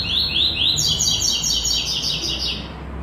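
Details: Classic tuí tuí zel zel song with third note from a white-throated seedeater: a few loud upslurred notes lead into a fast, higher series of buzzy repeated notes that fades toward the end. A low background hum is also heard.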